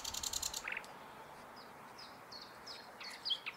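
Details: Common nightingale song opens with a fast, buzzy high trill and a short lower rattle, followed by scattered thin whistled notes over steady background hiss.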